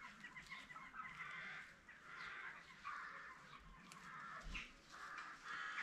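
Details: Captive peafowl of the Spalding emerald variety at a peacock farm. Drawn-out, nasal calls come one after another, with brief thumps and farmyard background noise.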